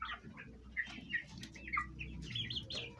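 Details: Domestic chickens, hens with chicks, kept at home, Fayumi breed of Egyptian origin, eating and fighting; short high peeping chirps scattered throughout, with low background hum.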